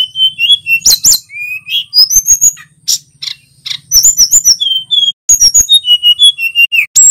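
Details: Male little pied flycatcher singing vigorously: rapid thin high whistles and sharp chirps, some rising and falling, alternating with brief clicking ticks, plus a faint low buzz underneath.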